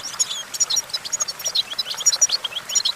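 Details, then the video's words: Perched on a branch, a European goldfinch delivers quick, bright chirps and thin whistled notes in a jerky, hurried sequence of separate high syllables, several per second. "Discover the stimulating sounds of the natural the goldfinch"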